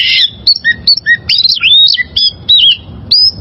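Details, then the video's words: Wild-caught oriental magpie-robin singing, a recording for training caged birds: rapid sequence of clear whistles, slurred rising and falling notes and a final long high whistle. "Masteran Suara Burung Kacer Liyar...!!!"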